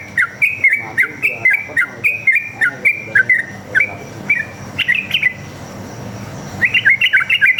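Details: Sooty-headed bulbul (trucuk) song used as a lure to make other caged birds answer: long single-line chattering phrase of rapid bubbly whistled notes, about three or four per second, pausing briefly before a faster burst.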